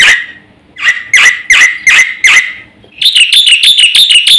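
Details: Black-winged myna giving five spaced, harsh downslurred notes, then switching to a rapid, bright chatter of repeated high notes.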